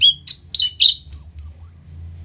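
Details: Orange-headed thrush, song used after moulting to boost aggression: four quick rich chirped notes followed by two long, thin, high whistles that rise and fall, with soft hum behind.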